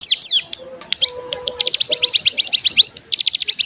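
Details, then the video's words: Bar-winged prinia lure meant to stir untrained birds into singing: a burst of rapid, rising high chirps in quick series, broken by short gaps. Faint lower whistled tones and a steady thin high whine sit underneath. "Pancingan Cigun Bahan Agar Bunyi Langsung Ngebren"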